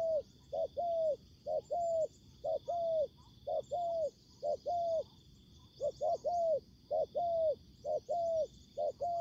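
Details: Spotted dove calling during a trapping session in which a decoy bird meets combative wild doves. Regular paired coos, a brief clipped note followed by a drawn-out mellow coo, repeated steadily. A continuous high insect hum runs behind.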